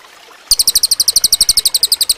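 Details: Cililin song meant for training other birds, a rapid string of piercing high chirps at about eleven notes per second. It continues steadily to the end with little else heard.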